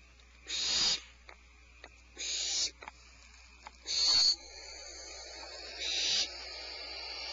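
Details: Nest birds hissing at a person's presence though they have not seen him, at an observed nest: harsh breathy hisses about half a second long, repeated every one to two seconds with quiet gaps and faint clicks between.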